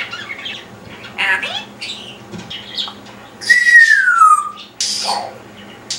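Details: Parrot on a perch babbling silly things: scattered raspy, speech-like squawks, then a long clear whistle gliding slowly downward, followed by more short squawks in a quiet indoor room.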